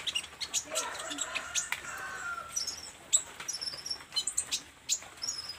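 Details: Olive-backed sunbird in energetic song, giving scattered thin, high-pitched chips and brief trills in uneven clusters over a soft background hiss.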